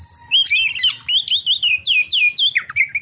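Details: Oriental magpie-robin (kacer) mating call, used to stimulate other magpie-robins to breed: a fast run of clear, slurred whistles sweeping up and down, delivered in short separate phrases over soft regular low ticking.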